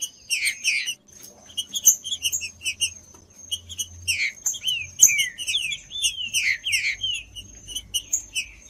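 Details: Green-winged saltator singing, offered as audio to stimulate a cold bird into singing: short chirps at first, then a run of arching, falling whistles repeated in quick succession, over a faint constant high tone.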